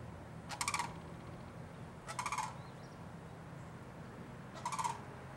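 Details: Sandhill Crane that flew in for a visit at Winding Waters Natural Area, West Palm Beach, Florida, in January, gives three short, rolling, trumpeting rattles about two seconds apart over a low steady rumble.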